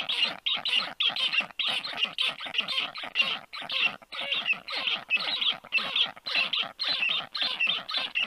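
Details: Nestling black storks calling as an unfamiliar black stork perches above their nest on a July 2022 afternoon: dense, rasping squawks repeated nearly two per second in a steady, insistent stream.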